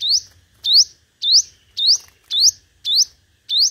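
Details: Five-coloured sunbird lure song: seven sharp rising whistled notes repeated at a steady rhythm, nearly two per second, clean and loud over near silence.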